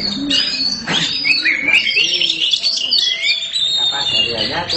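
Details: Caged black Oriental magpie-robin singing boldly and nonstop: a continuous run of high, clear whistled phrases, sliding notes and sharp chips, with a man's voice talking quietly underneath.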